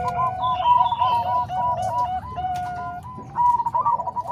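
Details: Combined song of Bangkok and Cemani Kolbuntet zebra doves, meant for tutoring other doves. Rapid, soft, rounded coo notes repeat in strings, with one long level note midway and a brighter flurry closing the passage.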